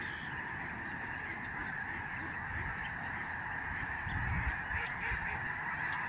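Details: Huge November 2011 flock of Lesser Snow Geese passing over the Reifel Migratory Bird Sanctuary, Canada, making a constant din of many high honks. The chorus swells slightly toward the end.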